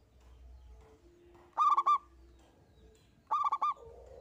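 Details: Local zebra dove singing vigorously in the single 'engkel' style, used to prompt other doves to sing: two short phrases of rapid cooing notes about 1.7 seconds apart, with a soft low hum between them.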